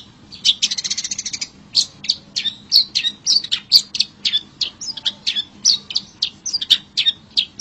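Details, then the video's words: Long-tailed shrike heard in nature: a fast buzzy rattle opens, followed by a long steady run of sharp scratchy chips, around three per second, over a faint background hum. "SUARA CENDET ASLI ALAM GACOR"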